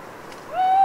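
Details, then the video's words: Owl singing solo in the dark, in a rain-soaked autumn forest at Les Assions, France: a plaintive tonal note swells up and holds level with bright overtones, after faint background noise. "en Forêt la Nuit, après la Pluie, une Chouette"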